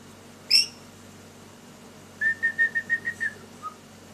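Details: Lory bird, kept as a pet, active and playing indoors: one sharp high chirp, then a quick run of seven short even whistled notes on one pitch, ending with a softer single note.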